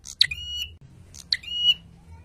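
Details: Prinia, called prenjak, on a training recording said to make males bristle: two calls just over a second apart, each a high snapping click sliding into a short, steady, buzzy tone.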